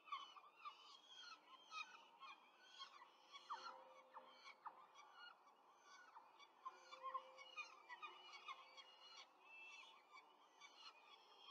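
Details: Peregrine falcon at a nest in Rome during a quick feeding of four chicks, 5 May 2023: harsh, rasping calls repeated rapidly and densely throughout, overlapping one another with a few short, clipped notes in between.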